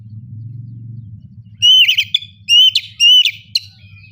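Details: Oriental magpie-robin singing a loud ngeplong lure song; after a low mechanical hum, three sharp whistled notes ending in rattling trills follow in quick succession.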